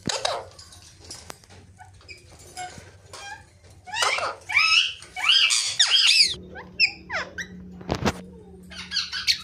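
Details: Rose-ringed parakeet, locally called mithu, talking: sparse thin squeaks, then a dense burst of sharp squeaky notes with rising and falling sweeps, followed by a few high chirps over a steady low indoor hum.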